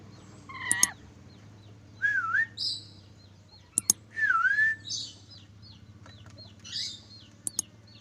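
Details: Black-capped lory giving clear whistled calls that dip and rise in a U-shaped swoop, with two long swooping notes, shorter buzzy high notes between them, and sharp clicks.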